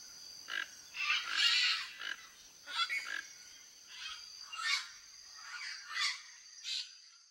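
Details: Flock of toco toucans exploring a backyard in Brazil for food: a string of grating croaks, loudest early and fading later, spaced about every half second to second, over steady high hiss.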